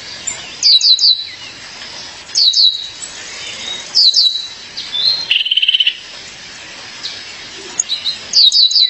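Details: A female violaceous euphonia calls for her mate with repeated triplets of sharp, high, falling notes about every one and a half seconds, plus a mid-clip rapid buzzy trill.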